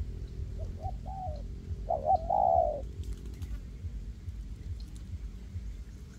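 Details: Spotted dove decoys, hanging and ground birds cooperating in a forest to attract wild doves for capture: soft short coos followed by a louder stuttering note and a long hollow coo, then low rumbling background.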